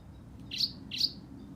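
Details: Black-throated canary singing: two short, bright, high chirps about four tenths of a second apart, each a quick sweeping note, over a faint low background hum.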